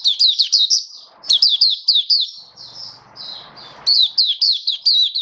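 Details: High-pitched twittering song of a hobby-kept oriental white-eye in 'buka sing raja' display, 21 October 2022: fast runs of sweet slurred chirps, then a drawn-out warbling passage, then rapid chirping again. Faint low noise is heard beneath.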